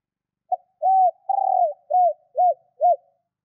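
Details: Female spotted dove calling to stimulate and attract males. A single phrase of mellow low coos: a brief opening note, a drawn-out arched coo, a long vibrating purr, then three short rounded coos. No other sounds.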